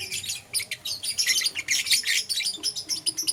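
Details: Caged lovebirds, euwing green opaline and lutino colour forms, chirping in the morning: dense, continuous bursts of high, scratchy tweets and chatter overlapping almost without pause.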